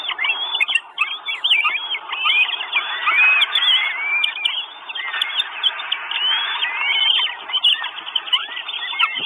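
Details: Northern goshawk nestlings, four chicks at an Estonian nest on 1 June 2022, wanting food; a steady chorus of thin, squealing, rising and falling whistles overlapping throughout, captured by a live camera stream.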